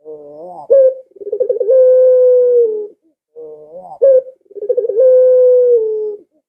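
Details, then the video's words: Barbary dove giving its call, played so pet doves will start calling; two matching phrases, each a gentle coo, a sharp upward kick, a rapid rolling tremolo, then a long steady hoot sliding slightly down. "Suara Burung Puter Ini Memikat Puter Anda Dirumah Sehingga Ikut Bunyi"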